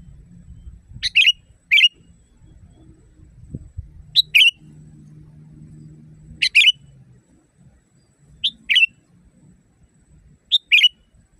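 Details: Sooty-headed bulbul in full natural voice, a training recording for caged songbirds: paired bright, liquid whistled phrases repeated at intervals of a few seconds, sharp and quick, above an intermittent low mechanical hum.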